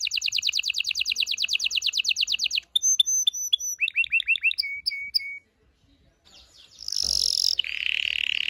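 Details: Canary song said to ready females and males for breeding: a rapid repeated trill, then clipped whistled notes and chirp series, a short silence, and a final buzzy high roll.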